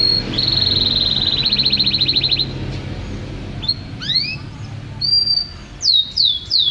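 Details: Canary of champion class delivering a fast rattling trill on one high pitch, followed after a pause by swooping upward and downward slurred whistles and a cluster of quick descending notes.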